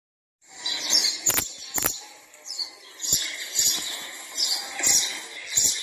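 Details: House sparrow chicks being fed by their mother: rapid, high, thin chirps in bursts with sharp clicks and rustles between them, a busy twittering run lasting several seconds.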